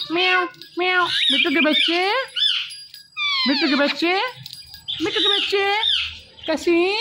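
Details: Indian ringneck parakeet mimicking speech, saying "Mitthu": grouped nasal, wavering syllables in bursts of about a second, separated by brief silences, with some shrill upper tones.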